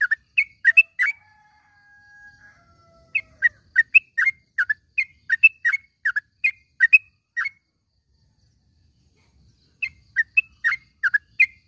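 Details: Yellow-vented bulbul calling in the morning, used to train caged birds to sing: bursts of short, sharp, bubbly notes repeated rapidly, a brief steady whistled tone near the start, then a pause before more quick chattering notes.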